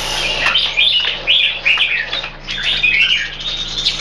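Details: Caged red-whiskered bulbul kept in Singapore gives quick chattering whistled phrases, bright and warbling, delivered in a near-continuous run over faint background hum.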